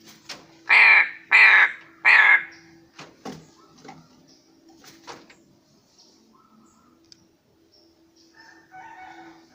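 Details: Pet black crow giving three loud harsh caws in quick succession, about half a second apart, followed by quieter knocks and faint indoor sounds.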